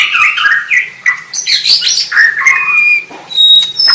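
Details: Singing white-rumped shama delivering a continuous flow of rich whistled and buzzy notes, swooping up and down, closing with sharp high clicks and thin whistles.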